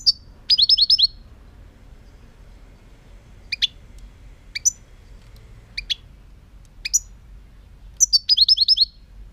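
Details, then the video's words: European goldfinch song: bursts of rapid, liquid twittering trills at the start and end, with scattered sharp high chirps in between, all bright and high-pitched over a faint low rumble. "chant chardonneret"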